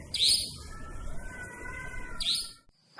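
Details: Nightjar calling at night: two loud, shrill, harsh notes sliding downward, roughly two seconds apart, over steady faint whining tones and low background rumble, cut off by a brief silence and another sound.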